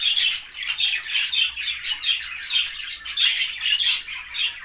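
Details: Cockatiel; courtship calls; courtship and pairing between mates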